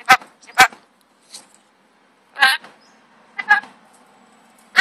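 A rainbow lorikeet talks in harsh, raspy, speech-like bursts, about six short utterances in five seconds, some doubled, with quiet pauses between.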